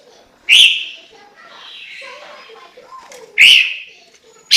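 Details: Chinese hwamei song of loud, ringing whistled notes at a high pitch, separated by about three seconds, with soft, faint warbling in between.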